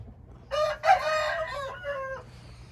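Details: Hint rooster crowing once, a brief harsh opening note followed by a long hoarse stretched syllable that tapers and falls away, over a quiet low hum.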